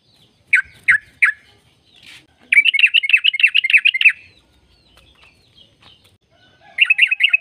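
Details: Yellow-vented bulbul giving a long trill used to stir caged birds into song: three sharp separate notes, a pause, then a rapid bubbling run of warbled notes lasting about one and a half seconds, resuming at the end.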